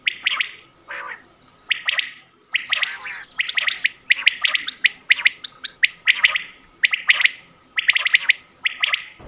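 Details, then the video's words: Quail call from Mianwali, Pakistan, used for hunting: short chirpy bursts, sometimes in quick pairs or triplets, repeated about once a second over nine seconds, with bright sharp clicks between them and no other clear sounds. "batair ki awaz 2023"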